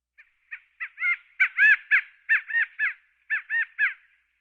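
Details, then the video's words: A California quail gives loud, nasal, arched notes that build into three-part phrases, the middle note highest, repeated about once a second, with little else heard. "California Quail bird sound effects"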